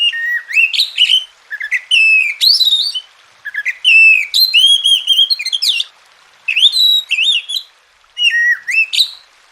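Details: Continuous varied song of an Oriental magpie-robin, intended to make quiet birds vocal: rapid runs of rising whistles, chirps and sweeping slurs, grouped into several phrases with brief pauses between.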